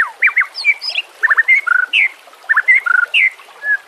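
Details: Loud varied White-rumped shama song, recorded for training shamas: bursts of sharp slurred whistles, quick stuttered chips and clear steady tones, in short phrases separated by brief pauses.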